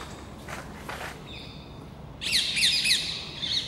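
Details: Overexcited rose-ringed parakeets, about ten of them, harass a red squirrel crossing plane trees along a park edge in the Versailles gardens, France. Faint harsh notes give way to a loud burst of rapid, grating screeches.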